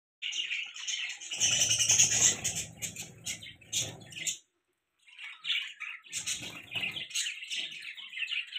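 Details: Budgerigars kept as pets, chirping: dense bursts of scratchy, buzzy twitters and chatter, with a short pause midway, then the busy chattering resumes; some low rustling or splashing noise underneath in the first half.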